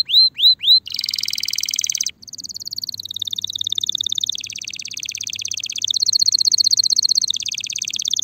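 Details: Spanish Timbrado canary, ready for mating, gives three rising whistles, a buzzy roll, then a sustained metallic rolling trill shifting pitch in steps for six seconds.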